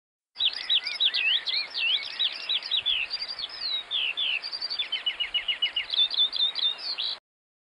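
A house sparrow chirps in a fast, unbroken run of bright, varied notes, several a second, with a quick rattling trill partway through.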